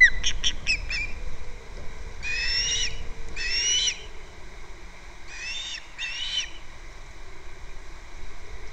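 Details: Captiva osprey at the nest on February 2nd, recorded by a nest camera. A few quick chirps open, followed by two pairs of longer, harsh whistled calls separated by quiet gaps.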